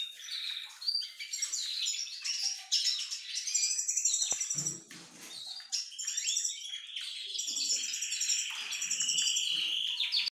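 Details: Siskin male courting a diluted-mutation female, pouring out dense, high chattering twitters and wheezy trills almost without pause; one low knock is heard midway.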